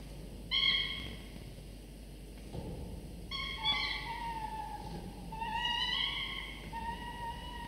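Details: At a camera-watched nest, falcon chicks aged 24 to 25 days are fed prey by their father in the morning; three long, harmonic, slightly descending cries, each lasting one to two seconds, with low rustling between them.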